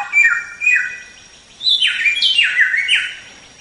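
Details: White-rumped shama, locally samyong, singing for songbird training: two short falling whistles, then a loud cascade of downward-stepping ringing notes.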